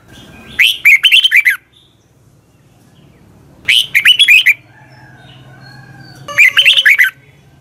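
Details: Dawn song of a red-whiskered bulbul recorded as a lure for training birds: three bursts of rapid, bright, warbled notes roughly every three seconds over low background hum.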